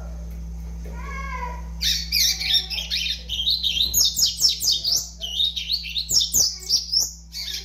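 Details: Five-month-old young double-collared seedeater in a long rapid song of high, bright, wavering notes, a few whistled notes first, then a fast chattering stream of repeated chirps; constant low hum in the background.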